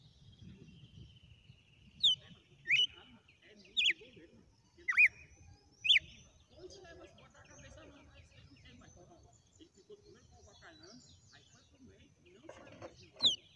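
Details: Red-cowled cardinal, a wild bird, delivering its whip-sequence song: five bright, piercing whistled notes sweeping downward in quick succession over about four seconds, a long soft pause, then one final sharp note.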